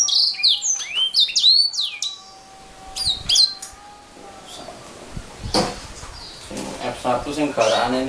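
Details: Canary singing a fast run of high, sweeping whistled notes and trills for about four seconds, then fading into quieter background noise and a faint human voice.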